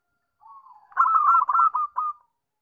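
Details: Zebra dove song used as a lure to make other birds sing: a soft low opening coo, then a loud, rolling run of rapid trilled cooing notes in several bursts.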